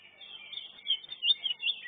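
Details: Greater green leafbird at a singing competition. It gives clear, high whistled slurs and short warbled phrases, rising and falling, over faint background chatter.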